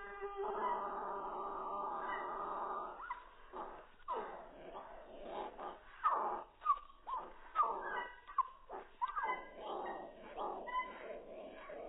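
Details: Odd-sounding cockatiel: a drawn-out, nasal, harmonic moan for the first three seconds, then a string of sharp, clipped squeaks and upward-sliding chirps, roughly two each second.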